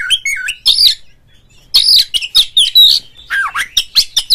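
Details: Oriental magpie-robin, played as a call to get other magpie-robins singing: rapid, loud bursts of sharp chirps and squeaky whistled notes, a brief pause, then more fast varied phrases with a falling slurred note.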